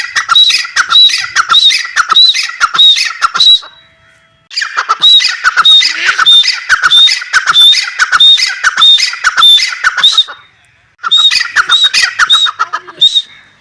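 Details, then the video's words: Long, loud runs of rasping, rhythmic grey francolin (teetar) calls. Each note carries a short high whistle. Two brief pauses split the runs. "Dakhni Teetar: Voice of teetar | How to play teetar | The Sound of teetar | teetar ki awaaz"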